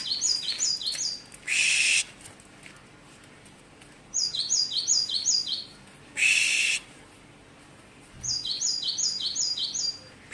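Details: Great tit song showing many variations: short series of high, clear two-part notes falling in pitch, repeated in bursts several seconds apart, broken by loud hissing noise bursts.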